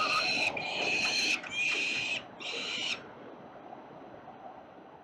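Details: Melbourne CBD peregrine falcons at 367 Collins Street struggling over prey, 5 November 2022 in the late afternoon; four rasping, screaming bursts in quick succession over about three seconds, then only a low hum of city noise.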